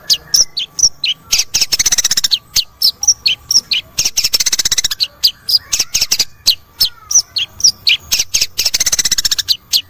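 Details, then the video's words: Long-tailed shrike song used to coax a silent cendet into singing: dense bursts of scratchy, high-pitched chatter with short pauses, slurred whistles and quick fast-pulsed rattles between them, and a faint constant hum. "CENDET macet susah bunyi miyik,Akan ikut Bunyi dengan video ini"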